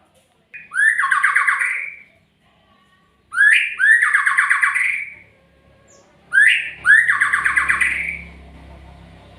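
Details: Three evenly spaced magpie-robin phrases, each a rising whistled lead-in followed by a coarse, rattling trill. A low hum creeps in toward the end.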